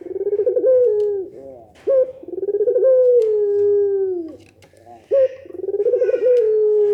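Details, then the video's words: Barbary dove in the pelung nangguk manner that sets other doves answering, delivering three deep coos in a row, each opening with a brief sharp note and trailing into a long, wavering, falling tone. "suara puter pelung nangguk bikin puter lain saling respon"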